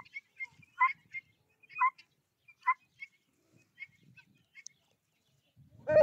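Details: Domestic guinea fowl kept alongside a rooster, giving short harsh clipped calls repeated roughly once a second, with quieter low rustling between them and a louder rough burst at the very end.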